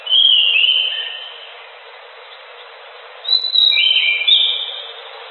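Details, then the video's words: Orange-headed thrush (anis macan) singing gacor: two bright whistled phrases stepping down from high to lower pitch, separated by about two seconds of quiet hiss. "Suara Burung Anis Macan Gacor"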